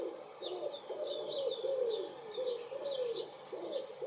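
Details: Common wood pigeon cooing in spring, 23.04.2019, with a second pigeon answering; moderately loud low coos, slightly wavering and linked into a continuous rolling phrase, under frequent high chirping of small birds.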